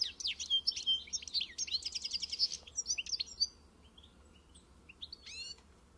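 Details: European goldfinch singing in encarte style: quick, tinkling, high trills and twitters at first, then sparser chirps, ending with a few sharp rising calls.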